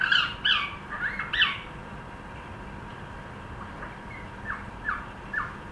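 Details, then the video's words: A cockatiel trying to sing opens with several sharp, chirpy whistled notes in quick succession, falls quiet, then adds a few faint descending notes near the end. "cockateil trying to sing"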